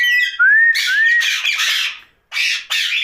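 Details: A pet rose-ringed (ringneck) parakeet talking at night gives clear rising whistles, then harsh, raspy, speech-like bursts with brief pauses, in a quiet room.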